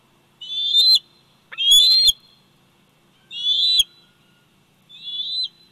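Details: High-pitched whistling squeals from a 104-day-old bald eagle eaglet at the Big Bear Valley nest, recorded by nest camera on 27 July 2019. Four piercing calls spaced about a second apart, some with harsh, scratchy edges.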